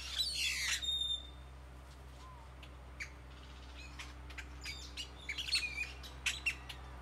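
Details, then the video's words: Tropical tree birds in Nayarit, Mexico: a loud buzzy chatter opens, followed by softer scattered chirps that build into quick sharp tweets from several birds toward the end, over a steady low hum. "Many bird songs 🎵 fill tropical tree .Nyarit Mexico"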